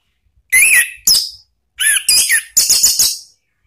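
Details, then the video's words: Orange-headed thrush sounds used as a lure to train cage birds, in the ngeplong and ngeriwik styles. Short bursts of whistles and sharp high chirps come in quick groups, ending in a rapid run of bright notes. "memancing ANIS MERAH BUNYI NGEPLONG ¦ PANCINGAN KICAUAN ¦ NGERIWIK"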